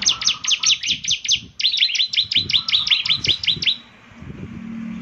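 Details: Ciblek semi, a bar-winged prinia, singing energetically with a characteristic voice said to set others of its kind singing: quick high chirps repeated nearly three per second, shifting midway into a slightly different hooked note before stopping.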